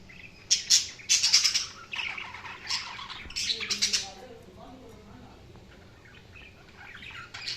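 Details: Budgerigars chirping: bursts of high, scratchy chattering calls in the first four seconds, then quieter faint twittering.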